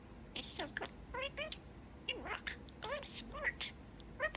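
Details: Pet male budgerigar chattering and talking, said to say "Tada Sunshine": quick warbled chirps and scratchy, bending notes in short bursts, fairly quiet indoors.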